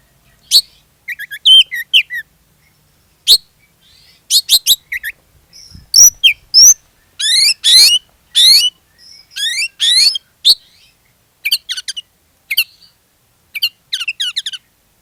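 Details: Oriental magpie-robin (kacer) song used as a lure to get other magpie-robins singing; sharp high chips, rapid trills and buzzy rising sweeps delivered in quick bursts with brief silences.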